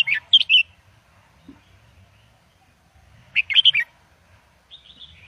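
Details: Caged red-whiskered bulbul singing, kept to teach young birds: short bursts of bright chirpy, warbled notes near 0.3 seconds and again around 3.5 seconds, with a fainter trailing phrase at the end and quiet pauses between.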